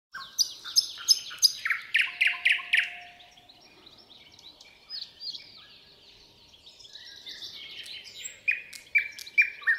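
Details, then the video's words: A thrush nightingale sings toward the rising sun: loud, varied phrases of rapid chattering notes, a low drawn-out whistle, then a run of ringing repeated notes after a short pause. "Serenaad tõusvale päikesele.Ööbik. Serenade to the rising sun.Nightingale."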